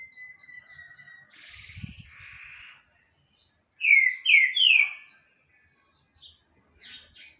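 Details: Green-winged saltator giving a burst of three loud, bright slurred whistles after quieter high notes and a rustle, then scattered soft chirps.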